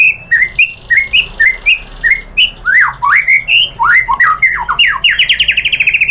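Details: Singing white-rumped shama in a provoking lure song for rivals: evenly spaced whistled phrases, then swooping upslurred notes, ending in a rapid accelerating trill of high repeated notes.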